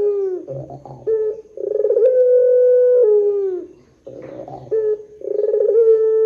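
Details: Pelung Barbary dove calling as a lure for other doves: pulsed rolling notes break into held tonal coos, one drawn out about a second and slightly falling at its end, then a silence and a fresh start.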